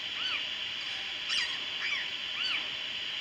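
Parakeets give short, arched chirping calls, about four in three seconds at an uneven pace, over a steady high hiss.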